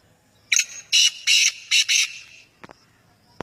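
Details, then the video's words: Male black francolin calling: five harsh, high, rasping notes in quick succession over about one and a half seconds, followed by a couple of faint clicks. "kala teetar ki awaz"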